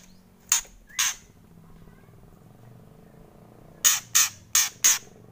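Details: Harsh kretekan calls of a white-rumped shama: two rasping bursts, a pause, then a quick run of four crackling notes, over a quiet humming background.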